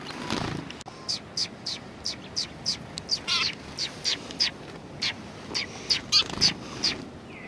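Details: Group of sparrows at a shrine on 3 January 2020, chirping in a fast, uneven series of short, high, buzzy notes, roughly three per second, with some overlap between birds and a brief low thump early on.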